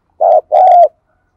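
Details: Spotted dove used as a decoy to provoke other doves, calling strongly. One short throaty coo, a brief pause, then a longer, fuller coo. The rest is quiet.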